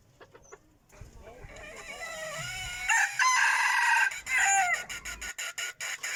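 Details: A decoy rooster delivers a loud, rich, harmonic crow after a quiet, faintly noisy lead-in. A sharp clicking or tapping series follows the crow, recorded in 2021.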